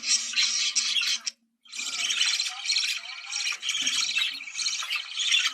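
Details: Budgerigars heard in a breeding-stimulation recording: a dense wall of high, fast warbling and chattering, broken by one short silence, suggesting several birds calling at once.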